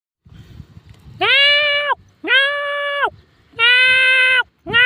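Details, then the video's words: A peafowl gives three loud, nasal, wailing calls about a second apart, each slightly arched in pitch and rich in overtones, with a fourth starting. "peacock is call sounds."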